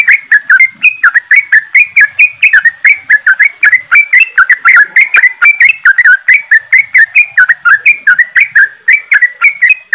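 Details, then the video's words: Yellow-vented bulbuls in a group giving a steady, fast 'ropelan' chorus to get birds singing: unbroken, overlapping chirps and bubbly whistled notes at a rapid, even pace throughout. "TRUCUKAN ombyokan,TRUCUKAN ROPELAN untuk bahan cepat bunyi"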